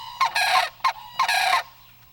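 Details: A male white-breasted waterhen calls louder as mating nears, to attract a female: loud, harsh, nasal croaks in four quick bursts over two seconds, with a faint low hum underneath.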